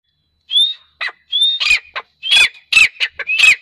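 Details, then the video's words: A grey francolin calls with loud, shrill phrases, each mixing rising whistled notes with harsh, ringing bursts, repeated in quick succession. "Desi teetar awaz | Teetar sound | Teetar ki awaaz"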